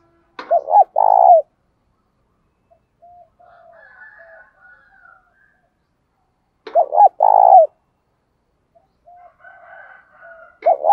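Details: Spotted dove coo phrases used to provoke wild doves into fighting in daily practice. A sharp click starts each phrase: paired short notes and a longer rolling coo, repeated about every six seconds. Soft chatter from other birds sounds between the phrases.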